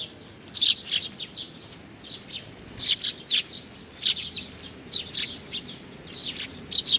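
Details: Young sparrow, a fledgling, giving short high chirps in uneven bursts, some clustered in pairs or triplets, with brief quiet gaps between.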